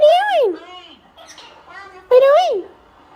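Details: Talkative Indian ringneck parakeet producing two loud, voice-like phrases that rise and then fall in pitch, separated by softer harmonic muttering, in a quiet indoor setting.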